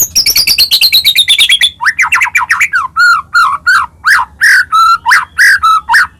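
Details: White-rumped shama in vigorous full song, Medan type, used to stir other shamas to sing: a rapid high trill, then loud rising whistled phrases repeated about three per second.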